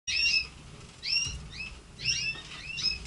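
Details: Red canaries kept by their owner, caged; short whistled phrases with rising and falling notes, four bursts spaced about a second apart, with quiet gaps between.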